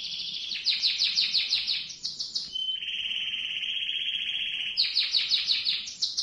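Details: Canary singing a long rolling song meant to teach young canaries: fast bursts of repeated high chirps break into a steady, even trill lasting about two seconds, then the quick chirping series returns.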